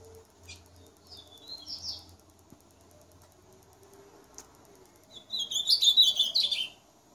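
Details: Ultramarine grosbeak in full song, a quiet short warble first, then a loud, rapid, high-pitched phrase of tumbling whistled notes of about a second and a half; low background hum throughout.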